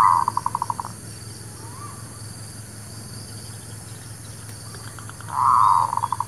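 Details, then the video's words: Zebra dove (merbuk kampung, perkutut lokal) cooing played to lure birds for trapping: a fast, pulsing trill of repeated notes opens and closes the recording, with a quiet gap of hum and faint noise between. "SUARA PANCINGAN MERBUK KAMPUNG / PERKUTUT LOKAL...UNTUK PIKAT DAN BURUNG BARU"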